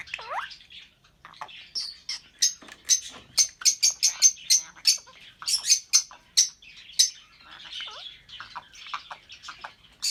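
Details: Pair of albino red-eyed lovebirds singing and chirping: a long, steady stream of sharp, very high chips and squeaks, rapid and uneven, with a few looping whistles at the start and later on.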